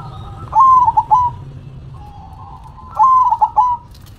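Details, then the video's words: Perkutut, a zebra dove, sings with a head-shaking motion. Two rapid phrases of stuttering, slightly rising then level mellow coos come about two and a half seconds apart. Softer steady cooing fills the gap. "Perkutut BERDZIKIR, Manggung nya Geleng -geleng Kepala"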